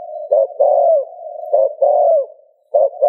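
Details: Spotted dove coo for prompting another dove to call: two full phrases of a short note plus a long descending coo, then the start of a third, over a constant hum.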